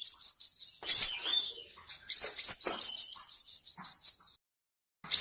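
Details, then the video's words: Male seven-coloured sunbird song used in trapping, with short runs of quick, high, rising whistled notes, a brief twittering break, then a longer even series that stops abruptly. "Tiếng chim hút mật 7 màu trống dùng đi bẫy chuẩn"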